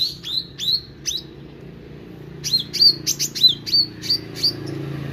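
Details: Meranti bird in full song: several sharp high chips with slurred whistles, a short pause, then a quicker burst of ringing down-slurred notes and brief buzzy flourishes, with a soft low background murmur.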